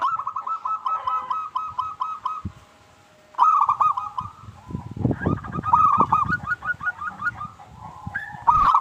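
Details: Local zebra dove singing as a lure for other doves; runs of fast staccato coos with a quiet gap, and a stretch of low knocking and rustling noise beneath later notes.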